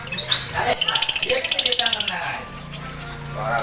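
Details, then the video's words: Dark blue (ink blue) lovebird in active song: a rapid, even run of about fourteen shrill, buzzy chatter notes lasting just over a second, led by a short rising squeak, with quiet background hum afterward. "LOVEBIRD BIRU MANGSI GACOR"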